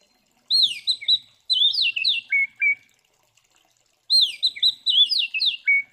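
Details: Oriental magpie-robin in fighting mode, a song used to provoke other magpie-robins: two bursts of clear whistled notes, swooping and falling, ending in lower paired notes, separated by a pause.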